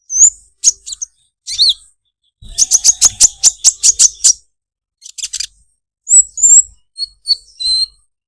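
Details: Olive-backed sunbird giving its unique, melodious 'krecek krecek' song: very high, thin chirps, then a fast rattling run of about ten sharp notes, followed by short whistled slurs and twittering.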